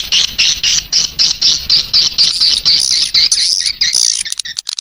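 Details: Swiftlet lure call, made to attract young swiftlets into a new nesting building: a dense run of high, sharp twittering chirps, about four per second, merging into a rougher chatter near the end.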